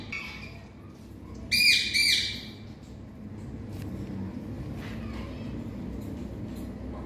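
A ringneck parakeet gives two loud, harsh, grating squawks in quick succession, then falls quiet over a steady background hum.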